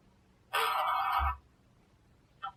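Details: Pet monk parakeet (quaker parrot) indoors gives one loud, harsh, raspy squawk under a second long, then a brief quieter squawk after a pause in a quiet room; Monk parakeet.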